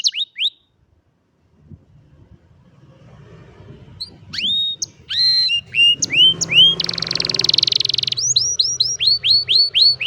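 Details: Phone-recorded canary song: a few sharp falling whistles, a pause, then rising chirps, a dense buzzy rattle and a closing series of clear notes that bend upward and fall, repeated steadily.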